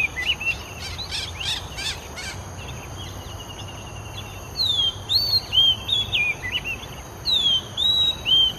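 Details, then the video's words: Oriental magpie-robin in Singapore singing its own unique tune: a burst of quick scratchy chirps, then loud, pure whistled phrases that swoop and slide, repeated with variation against a constant high hiss. "Bird Song: Compilation of ORIENTAL MAGPIE-ROBIN Singing, Singapore"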